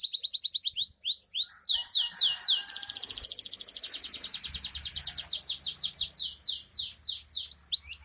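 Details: Canary singing while in breeding condition; an unbroken stream of fast repeated high swept notes and rolling trills, changing tour every second or two, delivered at about three notes per second or faster.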